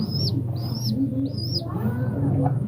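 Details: Racing pigeon (Columba livia domestica) cooing in soft, low rumbles under three thin, high arched chirps from another small bird, over a steady background hum.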